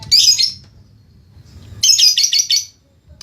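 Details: Lovebird in training giving its ngekek song: two bursts of rapid, harsh, high-pitched chattering trill, the first short, the second nearly a second long, separated by a pause, with a faint low hum beneath.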